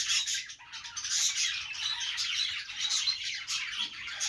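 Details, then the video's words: Happy budgerigars warble without a break, a thick mix of grating chatter, quick high tweets and occasional squawks at a fairly even loudness. "Budgie Noises to make them Dance"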